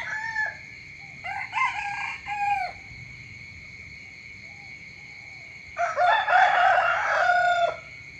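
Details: A rooster crows in the morning: harsh harmonic bursts in stepped phrases, a short crow at the start and a longer, louder one near the end, over a steady faint hum.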